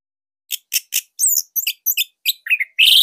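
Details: Song of a Bali orange-headed thrush, a lure and master tune for training and filling the repertoire of other songbirds. Short clicky chirps quicken into a run of varied high notes, ending in a loud, ringing sustained whistle; no other sounds.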